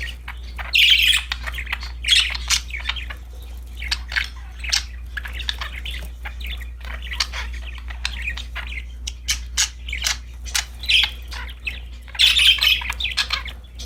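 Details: Pet budgerigars chirping happily over a new toy, long stretch of rapid clicks and scratchy twitters with loud chattering bursts near the start and again toward the end.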